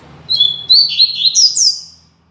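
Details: Coleiro, the double-collared seedeater, delivering its Tui Tui Zel Zel classic song for training young birds: sharp upslurred whistles followed by quick chattering notes climbing in pitch, one phrase under two seconds, over a faint low hum.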